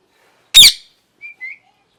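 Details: One loud rasping parrot squawk followed by two short, soft whistled notes, the second rising slightly.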